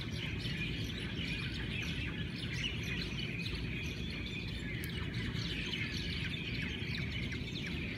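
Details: A chorus of many Hawaiian birds greeting the morning, with continuous bright chirping and thin whistled notes layered together throughout and a steady low hum beneath.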